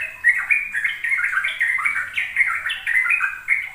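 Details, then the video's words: Sooty-headed bulbul singing in ropel style for young learners: a short burst of fast, tumbling, warbled notes running on without break. "Pancingan trucuk agar trucukan BAHAN PAUD ikut belajar ropel"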